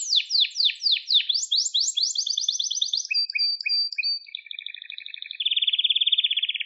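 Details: Domestic canary singing in a recording made to train young birds: a sequence of rolled tours, first sharp downward-swept notes repeated about twice a second, then quick chattering phrases, clear whistles and a fast, even, ringing trill. No other sounds.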